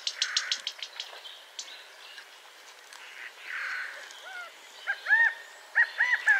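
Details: California quail: arched, slurred call notes enter in the second half after mixed chattering and rustling from other birds, rising then falling in short repeated groups.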